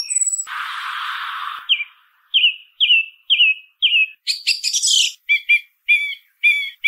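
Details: Singing song thrush: a brief high whistle and a harsh rasping burst, then one short whistled phrase repeated five times in steady rhythm. Sharp clicking chatter and twangy doubled notes follow.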